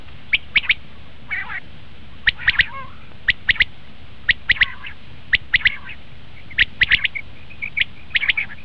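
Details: Common quail calling, a recording used to lure quail for hunting: crisp, clipped notes grouped in twos and threes, spaced by pauses of roughly a second, with a few softer buzzy notes between.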